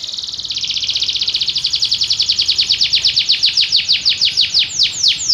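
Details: Belgian canary delivers a long, steady rolling trill of rapid high pulses that slowly broadens into slower, downward-sliding notes, with a low background hum.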